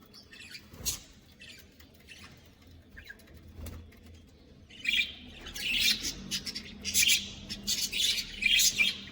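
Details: Budgies kept as a caged colony, quiet scattered chirps at first, then louder overlapping high twittering building toward the end.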